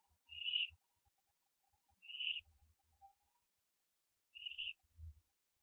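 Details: Branching barn owl owlet at 4:07 AM on 15 September 2011, live nest camera; three clear, short, high wheezing calls about two seconds apart, with a soft low bump near the end.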